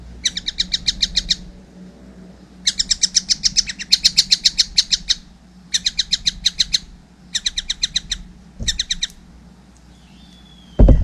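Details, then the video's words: Young collared kingfisher repeating bursts of fast, grating high notes, five separate runs of varying length with pauses, a low thud between the last bursts and a closing knock. "wow masih kecil udah gacor , anakan burung tengkek buto"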